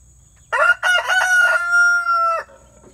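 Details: Rooster crowing near Branson, Missouri, not far from Eureka Springs, Arkansas: one loud harsh crow, two short choppy opening notes then a long sustained steady note lasting over a second, ending abruptly; faint low hum underneath.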